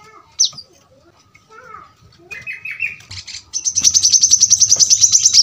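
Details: Kolibri manggar, the brown-throated sunbird: a few isolated high flicks and softer lower warbled notes, then a sudden fast, steady trill of sharp high notes filling the last two seconds.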